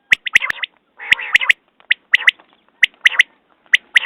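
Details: Repeated quail calls, quick sharp clicking notes in pairs and triplets mixed with a longer rasping nasal burst, the phrases coming roughly once a second.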